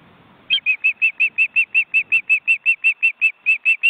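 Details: Ospreys and their well-grown chicks crowded in a nest in an Estonian forest reserve, watched by a live camera. After half a second of quiet, about seventeen clear, piping whistles follow at a brisk, steady pace.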